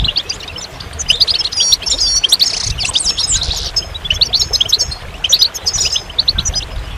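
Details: Goldfinch song as a lively, liquid jumble of high twittered notes, buzzy slurs and quick trills, delivered in several energetic bursts.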